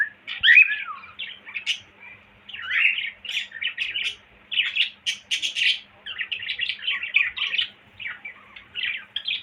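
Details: Cockatiel whistling indoors: a curling whistle at the start, then phrases of rapid chirpy warbling separated by short pauses, with bright harsh bursts in the middle.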